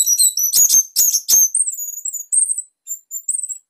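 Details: Song of an orange-headed thrush of the Bali type, used to teach and provoke other birds to sing: a few rasping, clicking bursts with high notes, followed by thin, drawn-out high whistles that fade in short spaced pieces.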